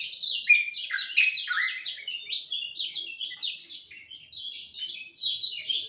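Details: Lemon-bellied white-eye singing at dawn: dense, fast twittering with several deep downslurred notes early, then a high, even, chattering run.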